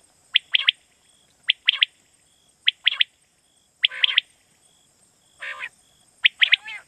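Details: Quail call played in Pakistan to draw birds for night hunting: repeated sharp triple-note phrases about once a second, broken by a single buzzy rasp, with steady high hiss throughout.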